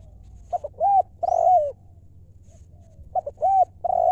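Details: Spotted dove singing its 'lio' coo twice: two short notes, then two sustained, mellow, bowed coos, with a quiet gap between phrases. A faint thin chirp is heard once.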